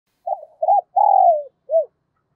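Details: Spotted dove used as a decoy bird to lure others, giving one soft cooing phrase: two short wavering notes, a long drawn-out coo falling at the end, then a brief final note.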